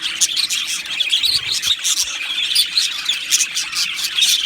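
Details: Budgerigar colony in an aviary, continuous high chirping and warbled chatter from several birds, with sharp squeaks punctuating the steady chorus.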